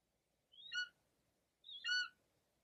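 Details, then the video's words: A female Golden Eagle calls to the male flying above her while covering and protecting her prey from nearby vultures, giving two high, thin yelps about a second apart, each dropping sharply then holding a reedy whistled note, over faint low rumble. "La llamada del Águila Real"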